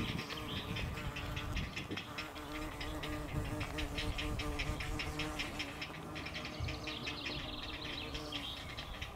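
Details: Three Great blue heron chicks, about a week old, in the wild while their mother regurgitates a crawfish for them, recorded by a field camera. A rapid, steady chatter of dry clicking pulses sounds over a low constant hum.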